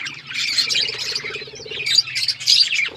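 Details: Budgerigars give loud scratchy squawks and chirps in a short burst of excited chatter, the calls rising and falling over a low electrical hum.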